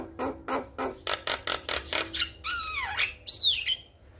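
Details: Male Javan myna in full voice, calling to a female: a run of harsh, rasping squawks repeated several times a second, then drawn-out downslurred whistles and a high squeaky note.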